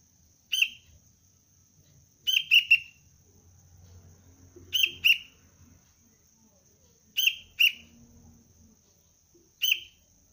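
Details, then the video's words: A juvenile kutilang, the sooty-headed bulbul, of the cengkram line in early decoy training. It gives short bright chirps, singly or in quick pairs and triplets, about every two to two and a half seconds, over a thin constant high tone. "Anak kutilang pelatihan dasar untuk pikat Cengkram"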